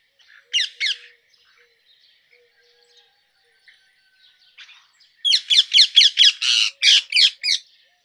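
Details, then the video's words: A pair of sharp screeches from a rose-ringed parakeet, then a near-silent gap, then a fast run of about nine loud, shrill, harsh notes in quick succession. "Rose ringed parakeet Call"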